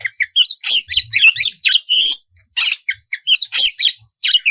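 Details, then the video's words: Oriental magpie-robin (kacer) singing a loud, fiery gacor song meant to provoke rival birds into answering: dense bursts of harsh chattering and sweet whistled notes between 2 and 8 kilohertz-range heights, clustered in rapid phrases separated by brief pauses. "KICAU PANCINGAN SUARA KACER GACOR NGEPLONG MEMANCING LAWAN UNTUK BUNYI LANGSUNG NYAUT"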